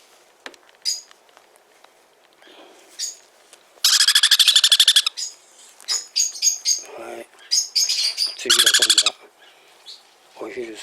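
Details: Sun conure chick in a hand-rearing shop, lively after arriving by air, giving scattered short chirps, then two bursts of rapid, harsh, pulsed squawking separated by softer nasal calls and faint background noises.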